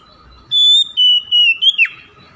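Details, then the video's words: Oriental magpie-robin singing, played to encourage silent kept birds to sing: after a short pause, four or five bright whistled notes in quick succession, the last bending sharply downward, with quiet background. "PANCINGAN KACER BISU MALAS BUNYI AGAR CEPAT NGEPLONG DAN GACOR"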